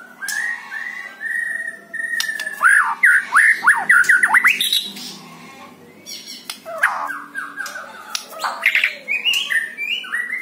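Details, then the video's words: Caged white-rumped shama in full song, meant to provoke another captive bird into singing: long sequence of quick, repeated downslurred whistles, buzzy rattles and sharp chips, varied and nearly continuous over ten seconds. "PANCING MURAI BATU ANDA DENGAN SUARA INI"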